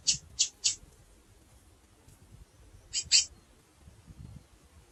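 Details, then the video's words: A female chestnut-bellied seed finch chirps and calls: a quick run of three sharp high chips, a pause, then a paired double chip, over a quiet low background. "Fêmea de Curió Piando e Chamando"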